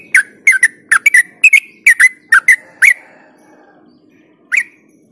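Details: Yellow-vented bulbul (trucuk) in lively ropel song, used as a lure to get other bulbuls singing: a fast run of bubbly, liquid notes dipping and rising near the middle of its range, then a pause and one final note.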